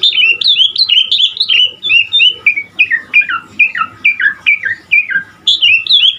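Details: Asian pied starling (jalak suren) from Indonesia in full, vigorous song packed with varied fill-in phrases: a rapid, unbroken run of bright whistled and chattering notes, each sliding downward, with brief pauses between bursts.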